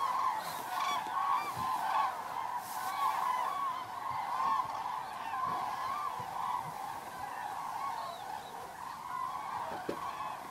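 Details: Many common cranes arriving at their roost in the evening of 3 October 2018 at Federow, Germany, near a bird observatory; continuous massed trumpeting, somewhat more distant and blended, with occasional low thumps.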